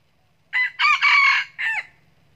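A red junglefowl gives a short, clipped crow: a brief note, two harsh strained syllables, then a quick falling tail, all over in about a second and a half.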